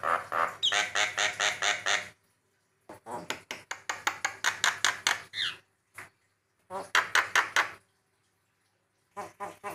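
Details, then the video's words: Javan myna (jalak kebo) master song for training birds: rapid series of harsh, clicking, rattling notes repeated about two and a half per second in long runs, broken by short silences, with occasional squeaky upward slurs. "masteran burung jalak kebo"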